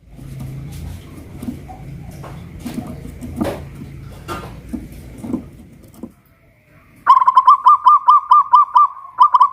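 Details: Local Pajajaran zebra dove from Kuningan, West Java, caged and hoisted on a pole, singing loudly: after several seconds of mixed background noises, a rapid, even string of about a dozen low, rolling cooing notes begins.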